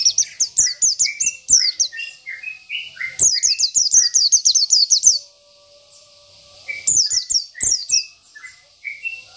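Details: Rival-provoking isian song of a local Oriental white-eye, used as tutor material: quick strings of high, sharp down-slurred chirps alternate with lower clear whistled notes, then a pause and a renewed burst.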